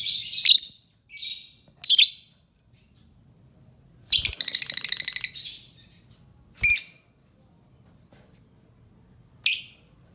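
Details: Lovebird calling to prompt other birds to join in: scattered harsh chirps plus a rapid rattling trill of evenly pulsed notes, separated by quiet gaps.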